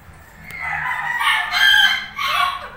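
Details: Tamed pet Indian ringneck parrots, one lutino, bonding and talking; drawn-out, voice-like harmonic sounds swell and fall in two loud phrases, with a short click near the start.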